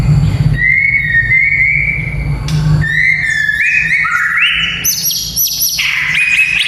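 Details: Whistled song of a white-rumped shama, used for training young fighting males: long level whistles, then notes stepping downward and rising again into high bright phrases, against a constant low background hum.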